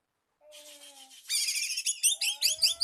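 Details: Oriental magpie-robin singing to call a rival, with soft scratchy notes building into louder, rapid warbling and bright, high upslurred whistles, over a faint steady tone.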